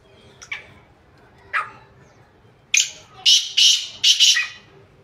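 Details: Black francolin, kala teetar, recorded 2-1-2024: a couple of faint notes, then a loud phrase of four harsh, buzzy rasps in quick succession in the second half.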